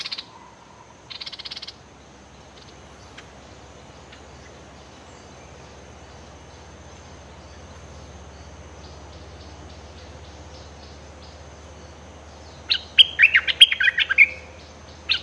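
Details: Bulbul; threat call; threatening a rival bird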